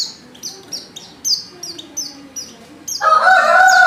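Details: Female white-eye in heat calls a male with quick, high descending chirps repeated rapidly, until a loud, lower rooster-like crow breaks in near the end.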